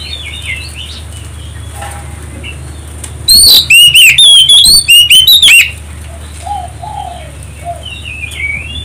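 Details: Oriental magpie-robin song used as a lure to provoke other birds to sing: a loud burst of rapid, clear whistled notes sweeping up and down, lasting about two seconds, between quieter stretches of soft distant chirps and a low steady hum.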